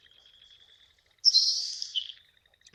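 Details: Nelson's Sparrow, a secretive sparrow of moist-soil grassy wetland margins, gives a single harsh hissing burst of about a second, like bacon tossed into a hot pan, high-pitched and dropping at the end, over a faint steady tone.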